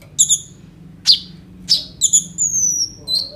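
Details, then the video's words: Phone recording of a singing kolibri ninja sunbird, used as a lure for young birds: sparse high double chirps, sharp downward-sweeping notes and one long, thin, slowly falling whistle. "KOLIBRI NINJA GACOR FULL ISIAN ROLL TEMBAK, COCOK UNTUK PANCINGAN KONIN BAHAN BIAR BUNYI"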